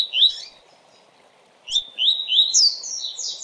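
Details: Double-collared seedeater (Sporophila caerulescens) tutor song for teaching young captive birds: a quick, bright song of high, slurred whistles and twittering notes, opening with a brief phrase, a pause, then running on more continuously.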